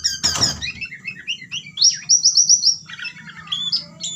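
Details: Caged white-rumped shama singing in fighter style: varied rapid whistled and chirping phrases, a series of high repeated notes midway, opening with a loud knock, over a low background hum.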